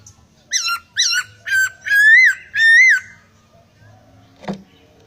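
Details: Laughingthrush in full song with varied fill-in phrases: five loud, clear whistled notes with bent, rising-and-falling shapes, about one per half second, the later ones longer and slurred. A single sharp click follows after a pause.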